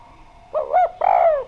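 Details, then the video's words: Spotted dove (derkuku), clear-voiced and actively singing, used as a lure. Two soft low coos, the second longer and gently falling. "Derkuku Djawa Gacor Suara Bening, Pancingan Bikin Ngeplong"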